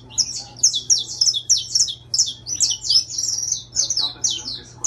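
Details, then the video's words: Singing intense-yellow saffron finch, a kept bird: a brisk, steady string of high chirps and buzzy slurred notes lasting nearly five seconds, with a faint low hum beneath. "Canário da terra Amarelo Intenso cantando!"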